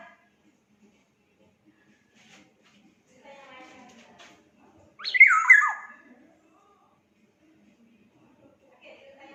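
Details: Black-naped oriole from Sumbawa calling in a lively varied bout: one loud, harsh, nasal burst that sweeps downward and lasts about a second, set amid long quiet stretches with faint low murmurs before and after.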